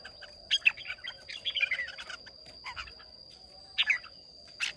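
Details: Red-whiskered bulbuls from Hòa Bình, Vietnam, sing against each other in a contest, 30 May 2023. There are clusters of bright, rapid warbled notes, then a pause and a few more sharp phrases. A faint low rumble and a high steady whine run behind them.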